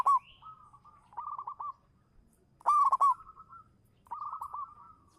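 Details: Champion local zebra dove lure bird in song: a sharp, loud trilled coo opens, then soft purring coo runs follow, another loud rolled burst near the middle, and gentle cooing to the end.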